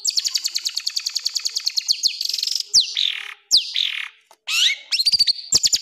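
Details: Long-tailed shrike (cendet) rough-shot masteran song: a fast, steady stream of high ticking notes gives way to loud upswept whistles, scratchy rasping phrases and a twisting warble, ending in rapid clipped notes.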